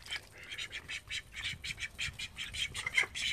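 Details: Call ducks in a home flock of thirteen giving a steady stream of medium-loud, rasping quacks at an uneven pace, several birds overlapping.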